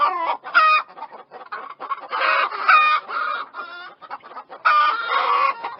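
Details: Chickens clucking and squawking in overlapping bursts, loud harmonic calls alternating with softer chattering clucks.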